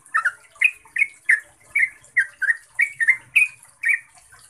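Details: Yellow-vented bulbul song meant to draw out caged bulbuls: clear, evenly spaced bubbling phrases, each a quick rising-falling slur, repeated about every half second.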